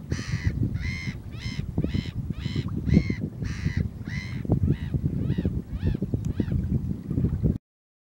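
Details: A spotted redshank at Nore Barn, Emsworth, near the end of its winter stay, possibly its 13th, before it leaves for the northern tundra, gives about a dozen harsh, nasal notes, roughly two per second, fading, over low wind rumble.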